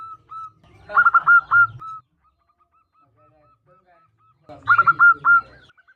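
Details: Female local zebra dove calling to a male with a seductive call: two bursts of rapid, hooked, whistled notes over a low purring coo, separated by a string of faint, evenly spaced soft notes.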